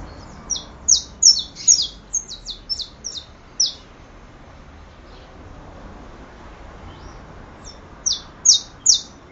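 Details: High, clipped downslurred notes from a saffron finch pour out in a stuttering series of about ten, pause for several seconds, then resume with three more loud chips.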